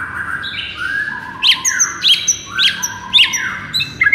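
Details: White-rumped shama masteran song for luring a listless shama; long steady whistled tones overlaid by sharp rising chip notes, about two per second.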